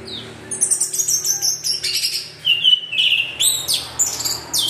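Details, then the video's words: Orange-headed thrush in continuous lure song: thin, high whistled phrases, some sliding down and others held steady, interspersed with sharp chattering notes, with a low hum in the background. "PANCINGAN ANIS MERAH GACOR TELER"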